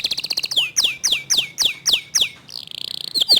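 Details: Singing local canary with a fast, tight, clear song: quick high stuttered notes, then a series of loud downward-sliding whistles about every quarter second, ending in a rapid buzzy trill.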